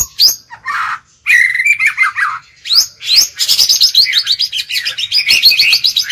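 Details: Captive lure White-rumped shama singing to challenge and draw in wild birds: a loud, fast, varied outpouring of high chattering and warbled notes, ending in a rapid rhythmic string of bright chips.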